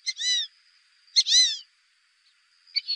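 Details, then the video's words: Whistled calls of fulvous whistling duck used for hunting: two clear, drawn-out, descending whistles, each opened by a brief sharp note, then a third short call at the end against a faint steady tone. "Fulvous whistling duck | Fulvous duck call sound | Fulvous ducks hunting voice"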